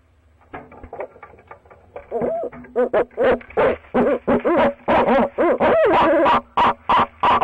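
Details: Barred owls at a nest box, the male calling to his mate; a quiet start, then a long series of loud, short, rhythmic hoots with rising-falling barking notes, about three per second, growing denser toward the end.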